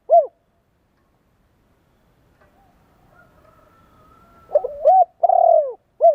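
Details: Spotted dove coos played to excite and train decoy birds: one short note, silence with a faint thin whistle, then a stuttering lead-in, a long hoarse low coo and a crisp closing note.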